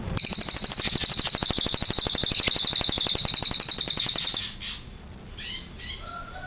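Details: A chatty cililin giving a long, clear, shooting burst, a rapid, steady, very high metallic rattle held for about four seconds. Scattered high chirps from other birds follow it.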